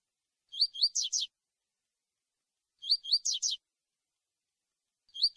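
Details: Tui tui song of a lined seedeater, used for tutoring young brown birds ahead of tournaments: two upslurred whistles and a quick burst of harsh descending buzzes, the phrase repeating about every two and a half seconds in silence.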